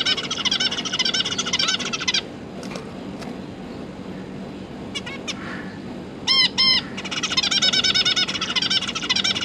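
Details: Zebra finch family, parents feeding three juveniles exploring and practicing flight, 31 October 2022; fast chattering runs of nasal notes at start and end, a quieter middle with a few soft ticks and two loud beeps.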